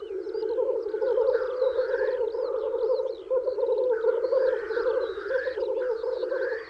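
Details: Lekking male black grouse in spring, displaying to females; a continuous rolling, dove-like bubbling drone beneath higher upslurred calls, while small songbirds twitter faintly high above.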